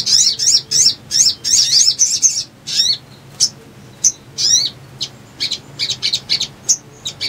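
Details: Little spiderhunter lure song for trapping leafbirds: an opening string of rapid, high, twittering chips, followed by scattered sharp single notes and short trills.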